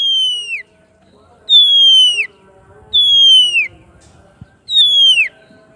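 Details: Oriental magpie-robin in full ngeplong song, calling its rival: four long, pure whistles, each gliding downward, repeated about every one and a half seconds over a quiet background.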